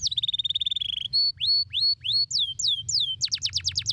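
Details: Canary singing in a stimulating song: a fast buzzy rattle, then drawn-out rising whistles, looping descending notes and a closing burst of quick sweeps, over a soft low hum.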